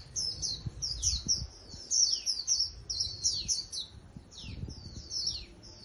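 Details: Caged wild-caught Japanese white-eye singing clusters of piercing high notes and downward-sweeping slurs, repeated in quick groups with short pauses, over soft low rumble.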